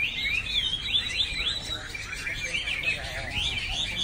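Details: Rapid, rambling Chinese hwamei song, slurred whistles rising and falling in quick succession without pause, moderately loud, set against a muffled low-pitched background noise.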